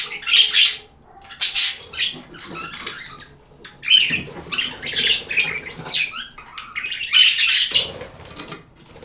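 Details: Budgerigar chirps in separate bursts: squeaky whistles and scratchy warbles, each burst about a second long with short quiet gaps between them.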